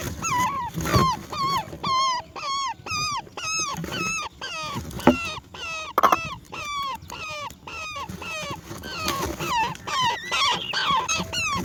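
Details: A roller chick begs as its mother brings black crickets, giving a rapid run of whining, wavering squeals, about one a second, some rising and some falling, with faint background noise.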